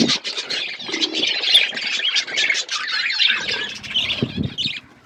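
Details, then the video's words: Budgerigars heard together, a dense chatter of squawky, scratchy chirps and warbles running without pause, with a few low clicks near the end. "Budgies relaxing sounds Birds chirping sounds"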